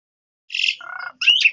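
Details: Asian pied starling song played as a lure to make young starlings respond: a brief burst of harsh buzzy notes, then a lower rattling phrase and a sharp whistled slur, with short silence before.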